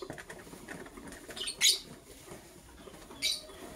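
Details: Green and blue lovebirds preparing for egg laying give two brief, sharp, high chirps about one and a half seconds apart, over a low steady background hiss.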